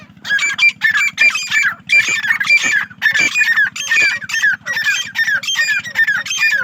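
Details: Female grey francolin kept on a farm in Pakistan, giving harsh, squawking calls rich in overtones. The calls come in bursts about one second apart over a steady low electrical hum.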